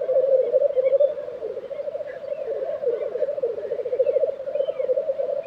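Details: Lekking Black grouse in Tiveden, Sweden, during April 2023. A thick, unbroken bubbling of low rolling coos swells and fades slightly, with scattered faint distant chirps from other birds.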